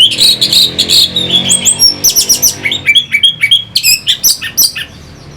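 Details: Orange-headed thrush song for rousing fighter birds, loud and busy: high, bright notes pour out in quick succession, becoming a steady series of sharp chips about three per second.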